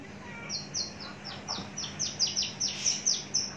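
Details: Caged, mature Javan bush lark produces a rising-in-volume series of high, down-slurred whistled chips, growing louder and denser over a few seconds, with a steady low hum.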